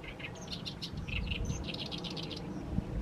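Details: In mid-May, an Oriental reed warbler keeps singing as the evening sun falls on a fallow paddy. Its song is a string of scratchy, clicking chatter notes delivered rapidly, over strong low-pitched wind-like rumble.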